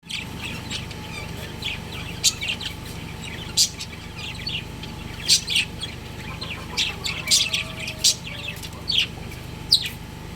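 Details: Breeding pair of pet budgerigars at home: sharp, high chirps and short squeaky notes in irregular bursts, some overlapping, over a steady mechanical hum throughout.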